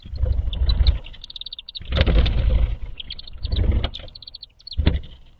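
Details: Chimney swifts arriving on their first night of the year, 5 May 2023, to roost in an artificial chimney tower on farmland in Valencia, Pennsylvania. They give rapid, high chippering twitters in quick bursts while traffic rumbles loudly beneath them.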